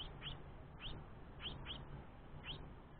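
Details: A young house finch begging its father for food while the mother rests gives short, high, rising chirps, about one every half second, over a steady low rumble of background noise.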